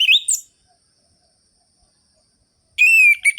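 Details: Energetic orange-headed thrush song in the ngerol-ngeplong rhythm, played to wake lazy thrushes: a brief rising whistled phrase, almost three seconds of silence, then a loud steady high whistle with a quick trailing note.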